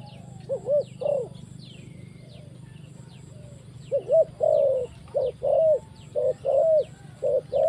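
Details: Spotted dove calling at a trapping site, low soft hooting coos in short bursts, a pair near one second and a run of repeated coos after four seconds, with faint high chirps of other birds and a steady low hum.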